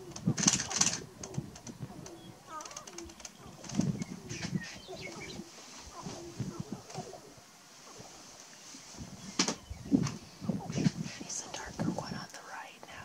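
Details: Male sharp-tailed grouse displaying on a lek at Burwell, Nebraska, 29 March 2018: low clucking and cooing notes, sharp clicks and rattles from several birds, with outdoor background noise.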